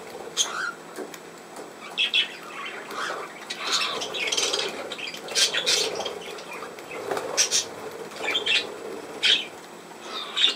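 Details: Budgerigar warbling in a broken, scratchy stream of chirps, clicks and short squeaks, with loud bursts scattered irregularly across the recording.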